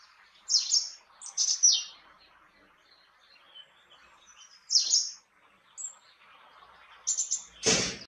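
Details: Great tit uttering several high sharp downslurred notes in small groups, ending with a loud broadband click-like sound.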